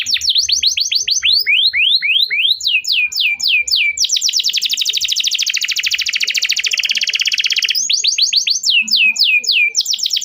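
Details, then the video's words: Canary song played as a lure to train young canaries and restart birds that have stopped singing: rapid runs of downslurred whistled notes, then a long, dense buzzy trill lasting several seconds, before the quick slurred runs return. "kenari gacor panjang Cuit Cuit EMOSI"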